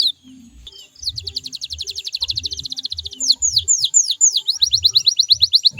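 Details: A canary's lure song for prompting caged canaries to answer: a soft start, then a long rapid trill of ticking notes, shifting into looping swooping whistles and quick falling sweeps.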